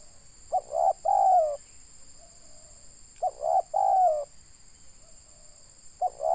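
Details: Indonesian local spotted dove (tekukur) calling in a trapping setting. Two full low coo phrases and the start of a third come roughly two and a half seconds apart, each ending in a long gently falling note, with a background whine.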